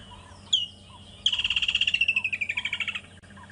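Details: Woodland kingfisher calling on an afternoon game drive at Djuma and Arathusa, 26 November 2014. The common species is more often heard than seen. A single piercing note leads into a fast trill that slides downward over nearly two seconds.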